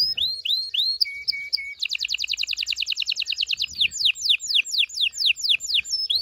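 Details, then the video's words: Canary singing to stimulate mating in males and females: rising whistles and short flat notes, then a long fast rolling trill, followed by repeated steep descending sweeps. "غناء طائر الكناري لتحفيز و تحضير الاناث و الذكور للتزاوج و تغريد المستمر"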